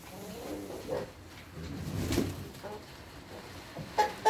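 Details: A big mixed flock of giant Brahma chickens, young and old, in Colombian white, black, blue, buff, dark and silver partridge varieties. Soft, low, harmonic clucks come in short bursts, with a few sharper notes near the end.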